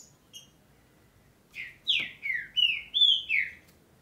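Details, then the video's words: Green-winged saltator singing in Brazil during the breeding and tournament season: a couple of faint high notes, then a rapid phrase of six full, slurred whistles that step up and down. "OS TRINCA-FERROS JÁ ESTÃO COMEÇANDO A CANTAR BEM AQUI NA REGIÃO!!!"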